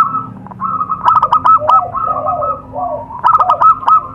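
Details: Zebra dove lure recording for attracting wild doves: clear ringing coos with a rapid stuttering run of short notes, two bursts separated by softer warbled phrases, with faint low background hum.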